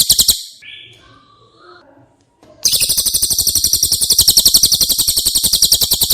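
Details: Cililin singing, meant as tutor audio for caged White-rumped shamas: the tail of a high trill, faint scattered chirps and whistles, then a long, fast run of sharp, evenly repeated high notes.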